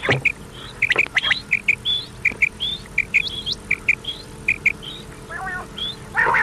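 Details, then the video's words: Common quail heard on an old cassette tape played through the night: a steady series of clipped, bright notes paired with higher upslurred notes, about eighty repeats a minute, with tape hiss and a few clicks. "Common Quail Sound | Batair ki awaz"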